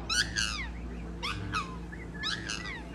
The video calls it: Black swans singing